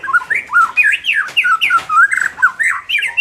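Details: White-rumped shama song, used to make a less combative caged bird more competitive: quick sliding whistles and squawky notes about four per second, rising and falling continuously in a small room.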